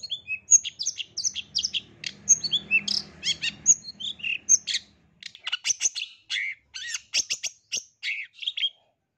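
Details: Long-tailed shrike singing for a therapy recording aimed at a caged bird reluctant to sing: rapid, varied squeaky chirps and short whistles in a continuous jumbled stream, with a soft low hum midway.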